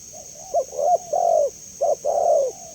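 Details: Spotted dove (tekukur) recorded as a master, lure and therapy call for dove keepers: soft low cooing phrases, each a short clipped note followed by a longer drawn-out mellow coo, given twice, over a steady high-pitched electronic whine.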